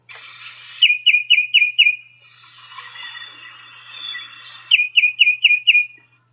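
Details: Tufted Titmouse singing its Peter, Peter, Peter song: a burst of five quick clear whistled two-note phrases, a pause filled with softer background birdsong, then another run of five whistled phrases.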